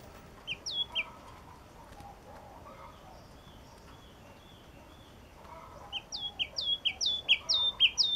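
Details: Yellow-cheeked tit gives a few paired whistles, then after a quiet pause bursts into a fast, ringing series of about a dozen downslurred high notes alternating with lower steady tones, growing louder toward the end.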